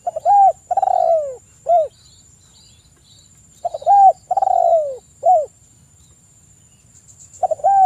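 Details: Lure song of a spotted dove meant to provoke other doves: two full phrases about four seconds apart, each a stuttering lead-in, a short coo, a long descending coo and a final short coo, with a third phrase starting.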